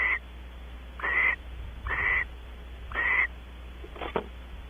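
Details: Barn owls mating on a porch at Audubon Starr Ranch, California: harsh, hissing screeches about a third of a second long, repeated roughly once a second, with a low steady hum beneath.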